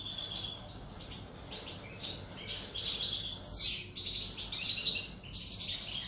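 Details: European goldfinch singing on 1 July 2018, a lively stream of high twittering notes, liquid trills and short buzzes, with one sharp descending sweep midway, over a low steady background hum.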